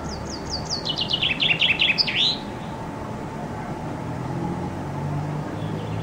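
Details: Common chaffinch in summer, singing loudly under a window and filmed from a loggia with a Canon IXUS 220 HS: one brisk song of falling high notes rolling into a fast trill and closing flourish, then several seconds of steady low background rumble.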